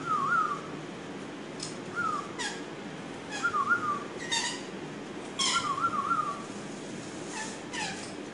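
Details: A fully tamed, talking pet Red-collared lorikeet gives short whistled, word-like phrases with harsh bursts every second or two, over a steady background hiss.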